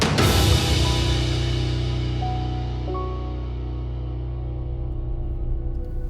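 Dramatic, ominous music with deep sustained bass tones and drum hits; brief higher sustained notes enter midway, and no animal voice can be picked out.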